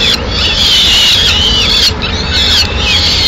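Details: At a Madrid peregrine falcon nest on 6 May 2016, the female arriving with a pigeon: loud, drawn-out screeching wails, one after another with short breaks, against a constant low rumble.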